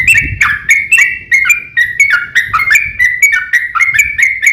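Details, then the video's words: Yellow-vented bulbul giving a long-trilled fighting song that makes other bulbuls reply at once; lively, slurred, bubbling notes in a rapid even series with faint low noise. "KICAU SUARA trucukan gacor TARUNG ROPEL PANJANG"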